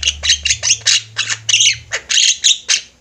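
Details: Javan mynas singing busily together, a master for training birds: loud, grating, buzzy squawks tumbling one after another about four per second, with some bright whistled overtones.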